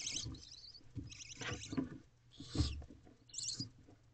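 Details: Hungry barn owl owlets, four young in a wild nest box at night, begging during feeding: repeated harsh, breathy hissing bursts about a second apart, with soft thumps and shuffling.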